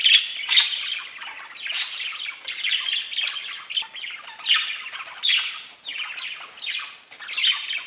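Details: Chattering pet budgies: a continuous mix of buzzy warbles, quick chirps and harsh squawks from several birds, loud peaks coming at irregular intervals over the whole stretch.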